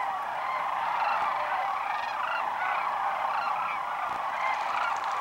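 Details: Huge wintering flock of sandhill cranes gathering at Whitewater Draw, southeastern Arizona, at noon on January 1, 2012, after feeding in fields; many overlapping rolling, trumpet-like calls, with individual wavering notes standing out from the dense chorus.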